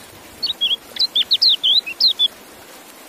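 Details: Fast bright twitter from a white-eye: about a dozen short, high, looping and slurred whistled notes in under two seconds, over low steady hiss.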